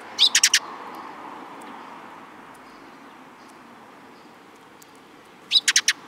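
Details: Eurasian tree sparrows, including a newcomer, recorded in Japan on 13 April 2022 along the way out: two quick bursts of four sharp, bright chirps, one at the start and one near the end, over faint steady background hiss.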